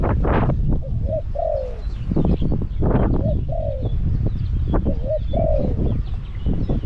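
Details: Caged Spotted dove decoy luring wild doves at Song Phi Nong repeats a low coo three times, each a quick short note followed by a longer sliding falling note, amid loud clicking and rustling.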